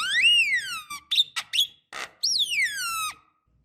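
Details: Javan myna lure call for young birds, a female calling to males: long loud whistles that rise and then fall in pitch, separated by short harsh squeaky notes.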